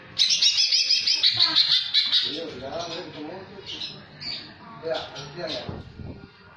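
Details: Greater green leafbird (Chloropsis sonnerati) singing a mimicked song that includes kingfisher-like phrases: a fast, high, buzzy chatter for about two seconds, then lower warbled phrases, with a murmur of human voices in the background.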